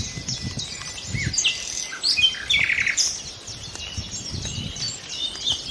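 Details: Nightingales singing in a calm lull: varied high phrases of whistles and chirps, with a short buzzy trill in the middle, over a faint low background rumble.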